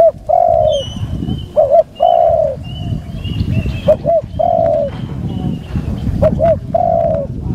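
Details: Spotted dove used as a decoy, cooing repeatedly during a decoy session: a soft double note, then a longer falling coo, about three phrases, with thin high chirps from other birds behind.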